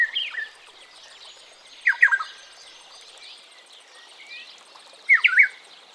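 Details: Ethiopian Black-headed Oriole (Oriolus monacha) call: three short bursts of liquid, slurred whistles about two to three seconds apart, with a faint chorus of other high-pitched birds behind.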